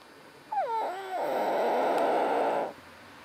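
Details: Common hill myna mimicking speech: a clear harmonic note sliding downward, then a long harsh, hissing, breathy stretch lasting about one and a half seconds. Italian words are spoken nearby.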